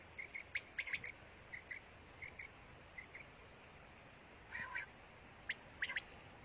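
A female quail gives soft, short chirping notes at a steady mid-high pitch, in pairs and threes, with a few sharper clicky notes over a quiet hiss.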